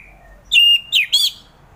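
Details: Orange-headed thrush song for encouraging reluctant thrushes to sing in the morning: a faint whistle, then a strong level whistle followed by two sharp swooping notes.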